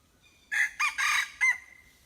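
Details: Hybrid junglefowl crowing: four loud bursts, two short opening notes, a longer harsh middle syllable, then a final note that trails off into a thin, fading tail; quiet background.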